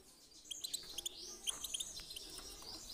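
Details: European goldfinch song in the 'pit pitak' and 'chi chiu' styles, meant to stimulate singing: clusters of bright, clipped high chirps and a brief sliding whistle over background hiss.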